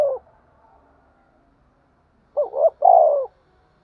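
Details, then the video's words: Provoking and calling coo of a spotted dove. A phrase ends at the start, followed by about two seconds of near silence, then one clear phrase of two brief upswept notes and a long descending coo. "cu gáy thúc đấu & gáy gọi"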